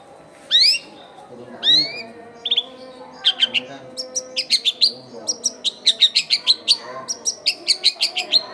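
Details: Long-tailed shrike giving lively lure song for newly caught wild shrikes, in a crowded neighbourhood: two loud rising slurred whistles, then a fast, steady string of short sharp high notes, with a low background drone.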